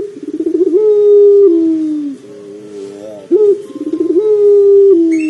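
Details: Pelung dove, used to draw other doves into calling: two long hollow coos, each starting with a quick quavering run, holding level and then stepping down, separated by a quieter wavering phrase.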